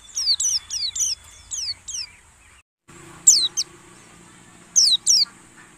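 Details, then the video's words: White-eye lure call used during dew-time (pengembunan) to draw birds in from the wild: high, thin, rapid descending chirps in short bursts, brief gap, faint low hum in background. "suara PANCINGAN PLECI"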